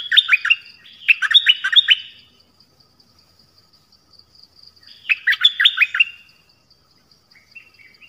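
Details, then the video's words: Nok dok taeng song of the double style, played so young birds learn it: short clusters of rapid, descending whistles, repeated after a three-second gap, with soft twittering notes near the end. "เสียงนกดอกแตงEp.5 Birds sounds เพลงเบิ้ล เปิดให้ลูกนก-ลูกเสอร้องตาม"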